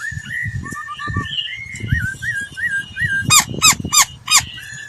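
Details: Laughingthrush lure song used for voice training. Soft, sliding whistled phrases lead into a run of four loud, bright, rising-and-falling notes, over a low muffled background rumble.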